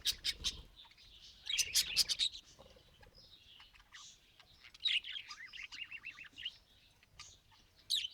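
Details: Budgerigars give quick twittering chirps and rapid trilled notes, with a loud cluster early on, then softer scattered warbles and a short burst at the end.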